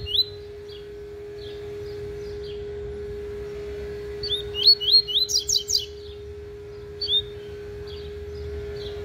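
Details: Double-collared seedeater in a cage warming up its tui tui song: a few soft chips, then a burst of rapid ringing whistled notes, then more sparse chips, with a constant humming tone behind.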